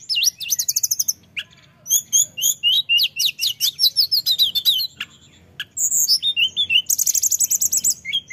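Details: Energetic rolling song of a male orange-headed thrush used to lure others: dense bursts of high repeated notes, rapid buzzy trills and squeaky mimic-like phrases, barely pausing.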